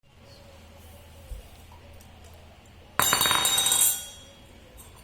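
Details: A low indoor hum, then a sudden loud burst of glassy clinking and rattling at about three seconds that fades quickly; no animal voice.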